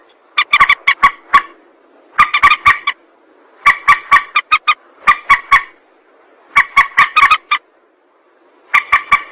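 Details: Rail calling for use as a trapping lure: honking bursts of five to eight rapid nasal notes, each burst about a second long, repeated every one to two seconds.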